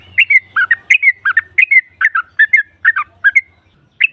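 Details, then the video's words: Female yellow-vented bulbul calling to draw out rival birds: clear, quick slurred note pairs repeated every half second over a faint low hum. "SEKALI PUTAR SEMUA TRUCUKAN NYAUT NGROPEL Seketika"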